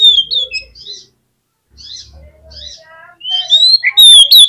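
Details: Oriental magpie-robin singing to provoke a quiet magpie-robin into replying. Sweet whistles and soft buzzy notes sit over a low hum, then a loud rising whistled flourish ends the phrase.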